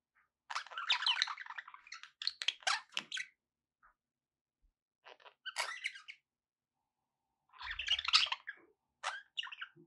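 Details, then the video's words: Pet budgerigars kept indoors, chattering in three bursts of scratchy, buzzy warbles mixed with short clicks and squeaks, separated by brief pauses; a faint low thump near the end. "2 hours of budgie sounds with background noise for relaxation"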